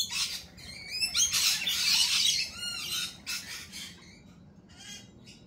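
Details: Lorikeets at a cafe produce loud, rasping shrieks repeated in quick bursts, peaking around two seconds, then fading into softer scratchy calls.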